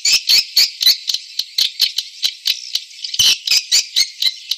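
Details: Edible-nest swiftlet lure sound in the Pancawarna style, made to attract target swiftlets: dense buzzy high chirps pulsing about four times a second, steady and loud, briefly pausing then resuming.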